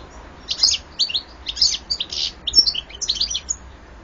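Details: European goldfinch song from 2014: a lively, continuous run of high twittering chirps and buzzy trills in quick irregular bursts, bright and clear over a faint low rumble.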